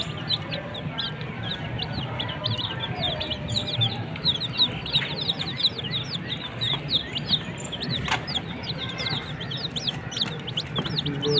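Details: Desi (country) chicken chicks chirping: a dense, continuous chorus of short, high, downward-sliding peeps from many chicks, overlapping nonstop over a steady low hum.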